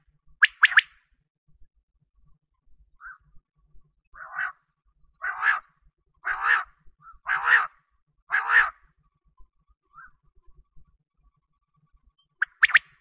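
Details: Quail voice for wheat-season hunting: a quick three-syllable phrase, then a run of longer rough buzzy notes spaced about a second apart, closing with another sharp three-note phrase; background otherwise quiet.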